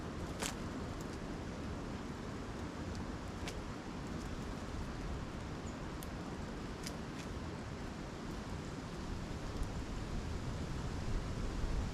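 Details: Steady low rumble of traffic or wind with a few faint clicks and knocks, and no animal calls.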